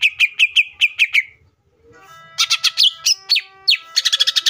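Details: Energetic song of a Greater green leafbird, used as a lure to make other leafbirds sing: a steady series of sharp, ringing notes, a short silence, then denser, rich, varied phrases ending in a rapid trill-like flurry.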